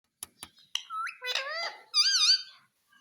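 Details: Pet parrot kept indoors in a small room, talking: a few sharp clicks, then a short rising whistle and wavering, voice-like harmonic phrases, ending in a loud, warbling, tremolo-like utterance.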